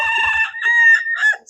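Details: A white Silkie rooster with very few feathers, on a farm on a sunny, chilly May day, gives a short, weird crow: a hoarse, broken start, a held nasal middle note, then a ragged trailing end, in about 1.5 seconds.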